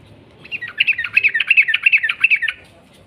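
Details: Sooty-headed bulbul giving a 'ropel' phrase: a dense two-second string of quick, bright chattering notes, rising in loudness and ending abruptly, over faint low background hum.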